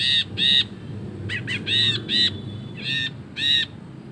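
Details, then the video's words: Brinji kelabu, or ashy bulbul, in lively long ngekek chattering: loud harsh buzzy notes in twos and threes with brief pauses, some notes quicker and scratchier, over steady low background rumble. "BURUNG BRINJI KELABU GACOR NGEKEK PANJANG"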